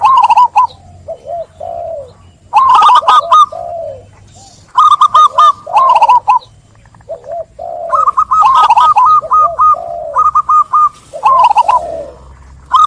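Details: Zebra dove song in repeated bouts: loud rapid staccato coo series alternating with softer, lower warbled notes, the pattern recurring about every two to three seconds.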